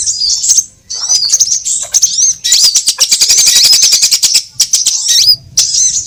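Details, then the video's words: Sunbird lure sounds for trapping: high, thin twitters break into a fast, buzzy chatter lasting about two seconds before the twittering resumes. "Suara pikat semua jenis burung kolibri"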